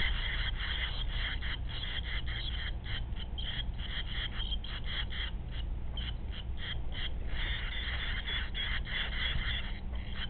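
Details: Nesting barn swallow giving rapid, scratchy twittering notes, several per second throughout, over a steady low rumbling hum.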